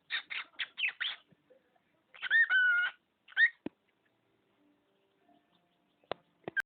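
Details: Male pet budgerigar copying household phrases and a human sneeze: a quick run of four raspy syllables, then a longer, clear, tonal phrase and a short chirp, followed by near silence and a few faint clicks.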